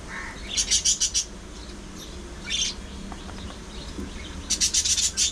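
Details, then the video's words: Domestic budgies, parakeets filmed singing, talking and squabbling, give two quick bursts of rapid shrill chirps, one at the start and one at the end, with scattered softer twitters between. "Budgies Being Budgies: Non-Stop Fun, Fights, Love & Chirpy Chaos!"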